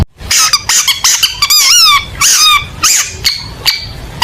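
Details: Long-tailed shrike in full 'tembakan' competition-style song: squeaky, wavering harmonic notes, some rising and falling in quick wobbles, others short chirps, delivered in rapid bursts with brief gaps and a quiet background.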